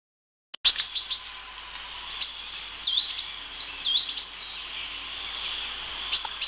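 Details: Sunbird singing a rapid series of thin, high whistled notes, each swooping down then sharply up, in quick bursts with brief pauses, over a steady high hiss.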